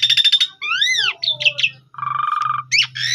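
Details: Asian pied starling lure song for calling a rival in the morning: rasping buzzy bursts, an arched whistled note, a nasal rattling trill and a squeaky rising phrase, with a low constant hum underneath.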